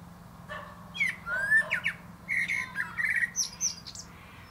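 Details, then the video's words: Singing from a plum treetop, a common blackbird gives rising and falling fluty whistles in quick succession, then a series of bright, high, chirpy flourishes. "Song of Songs"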